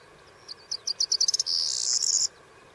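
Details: Corn bunting in the Camargue, France, giving its jingling song: a quick run of high dry ticks speeding up, then a bright, shimmering, jangling trill held for under a second, with a soft steady background hiss.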